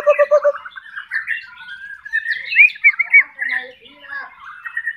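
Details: Spanish canary beginning with a quick low stuttering trill, then sliding into a soft warble with looping whistled phrases and short chirps, with a faint second songster behind.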